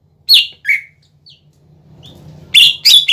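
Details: Cucak ijo, the greater green leafbird, singing lure song meant to stir other leafbirds: two clear downslurred chirps, a short gap with low hum, then two loud harsh notes at the end.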